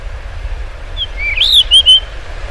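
A Blue rock thrush gives a brief, clear whistled phrase that swoops up and levels off into bright warbled notes, over a low rumble of distant traffic.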